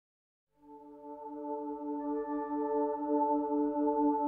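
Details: Silence, then a sustained ambient tone with steady layered harmonics swelling gently, like a singing bowl; no animal sounds heard.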